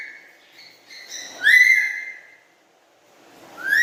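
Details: Tame black-capped lory giving a run of soft whistled notes that build into one loud, sliding whistle, with another rising whistle starting at the end.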